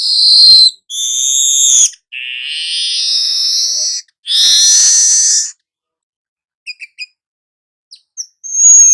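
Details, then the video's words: Weaver song called gacor nyerut: a series of long loud wheezy, rasping notes with rich overtones, followed by quiet gaps with a few tiny ticking chips and a final sharp note. "Hitungan DETIK burung manyar anda akan jadi GACOR NYERUT"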